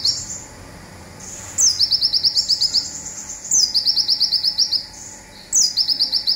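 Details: Local Indonesian olive-backed sunbird giving its 'zipper' shot, a master recording for training songbirds: a sharp downslurred whistle runs straight into a fast, high, buzzy trill of about ten notes, repeated three times with pauses between.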